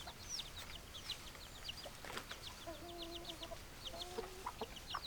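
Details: Chickens in chorus: streams of short high peeps run through the whole clip, while brief steady lower tones and soft clucks come and go over background hiss.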